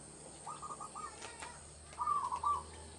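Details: Local zebra dove singing in a rural village setting, song used as a lure for trapping doves; two short bursts of rapid, trilled cooing notes, the second louder, over a quiet background with faint clicks.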